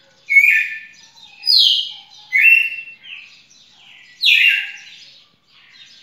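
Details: Red-cowled cardinal on 18 June 2021 sings loud, clear whistled phrases, some rising and some falling, in bursts about a second apart with brief pauses between.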